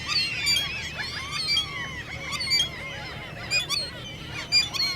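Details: Common gulls beg with squeaking calls in the mating season. Softer, overlapping squeals form a busy background, with a few sharper calls standing out about once a second.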